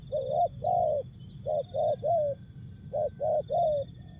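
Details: Tekukur, the spotted dove, delivering jergot, tapau or bungkus song style: three grouped phrases of soft hollow coos, two or three notes each, evenly spaced, with thin high whining tones and low rumble underneath.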